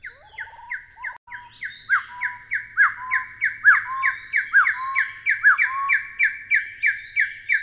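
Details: Taiwan hill partridge calls begin with a few low rising notes, then build into loud repeated whistles. Curved, swooping notes with lower trailing whistles alternate with a quick steady chain of short calls.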